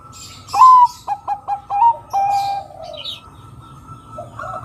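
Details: Zebra dove (perkutut) cooing as a lure call: a bright opening note, four quick staccato coos, then a long falling rolled coo, over a faint steady hum.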